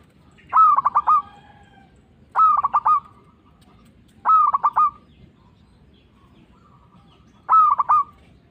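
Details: Indonesian local zebra dove calling steadily as a lure for trapping and to trigger replies from rival doves: four phrases of fast stuttering notes merging into a drawn-out coo, a longer pause before the last.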